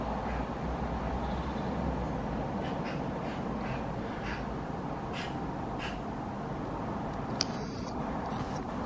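A magpie gives a run of short, harsh, rasping calls about every half second. A steady low rumble of wind or traffic sits underneath.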